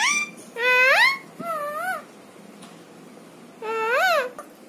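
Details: Talking pet parrot giving loud, drawn-out, whining calls that swoop upward and waver, three long phrases with a softer one between, in a quiet indoor setting.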